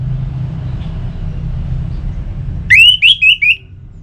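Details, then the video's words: Orange-headed thrush singing, offered to coax caged birds to sing: after a few seconds of low hum, four bright whistled notes, the first rising sharply, each about a quarter second apart. "Suara Burung ANIS MERAH"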